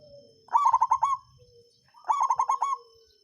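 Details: Zebra dove of the local songgo ratu kind, a lure song meant to raise rival birds' breeding drive and spur reluctant singers: two bright phrases of rapid bubbling coos about one and a half seconds apart, faint soft notes between.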